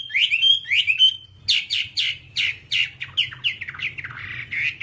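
Two slurred, rising whistles, then a fast run of bright, downward-sliding chirps, about three or four each second, over a faint low hum.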